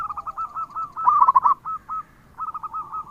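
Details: Local zebra dove in lively, full song: a rapid staccato series of short cooing notes, a louder rolling burst near the middle, then another quick run of similar notes.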